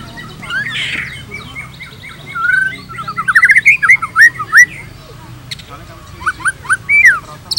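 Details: Varied white-rumped shama song: scattered whistles, a fast rising run of clipped notes, then loud swooping slurs and a few separate looping whistles after a pause, over a low hum.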